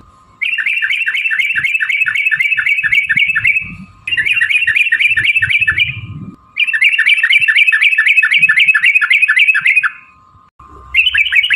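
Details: Sooty-headed bulbul in long rapid-fire trill bursts, the ropel panjang style meant to provoke other birds into singing: three dense, chattering runs of several seconds each, separated by short pauses, with a steady background whine.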